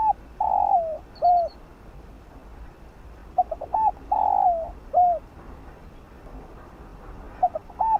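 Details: Field-voice spotted dove song for stimulating decoy birds: two full coo phrases about three seconds apart, each with short opening notes, a long level note that slurs downward, and a short bent final note; faint high chirps above.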